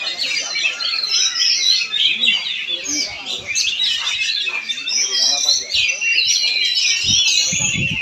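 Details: Kacer (Oriental magpie-robin) from Palangkaraya, Central Kalimantan, singing a torrent of quick chirps, whistled slurs and chattering trills, with low thumps and murmuring voices beneath.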